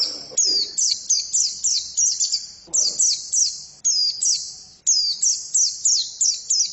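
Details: High-pitched song of a female white-eye, a rapid run of thin downslurred notes repeated in quick series, broken by short gaps, with a faint low murmur beneath.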